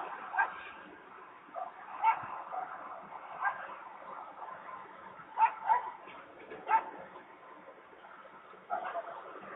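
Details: Peregrine falcon quarrelling and making a row at Włocławek, Poland, on 15 November 2020 at 14:22; whining, slightly upslurred harmonic calls, several spaced irregularly over about ten seconds, with a faint steady background hum.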